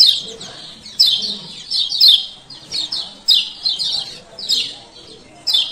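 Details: Lombok male lemon-bellied white-eye uttering 'ciak ciak' calls meant to coax a quiet bird into singing; shrill downslurred chirp bursts repeated roughly every second, with short gaps between.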